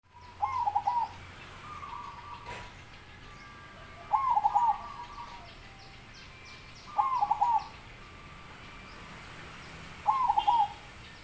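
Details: Zebra dove singing: four short cooing phrases, each a quick rolling series of bubbly mid-pitched notes, spaced about three seconds apart over a steady background hiss with faint high chirps.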